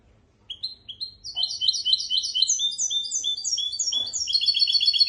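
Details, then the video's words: Hybrid of goldfinch and canary sings for teaching goldfinches and canaries: a few spaced rising chirps, then rapid twittering phrases and fast high trills growing louder, with a faint knock near the end. "تغريد طائر الهجين ميسترو حفاضه لتعليم طيور الحسون والكناري بدون اخطاء"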